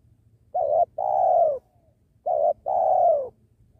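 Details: Tekukur, or spotted dove, at a trapping site beside a sacred tree, described as a penguku bird. It calls twice, each time a clipped warbled note then a longer, smooth descending coo, with quiet low background rumble.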